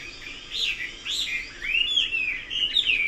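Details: Chinese hwamei delivering loud arching whistles, each note rising then falling, repeated roughly every half second in a rich, melodious sequence.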